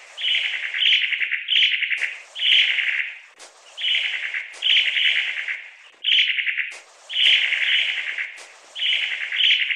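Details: Long-tailed tit (Aegithalos caudatus) uttering rapid, buzzy, rattling calls in bursts of about half a second. The bursts come one after another with brief gaps and occasional longer pauses. No other clear sounds are heard.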